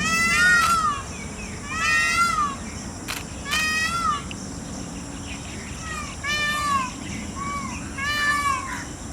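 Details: Indian peafowl calling around a peacock dance: a run of about seven nasal, meow-like wailing calls of slightly differing pitch, some loud and some softer, coming roughly every second or two, with a couple of sharp clicks.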